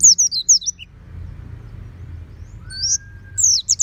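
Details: Home-kept oriental white-eye singing 'ngeplong': a short burst of high slurred whistles, then a quiet gap with one thin, level tone, then another quick twittering phrase.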